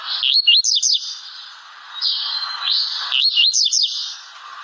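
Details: Blue-black grassquit song: a quick run of high, wavering, slurred notes repeated twice, over a constant high hissing band and lower background noise.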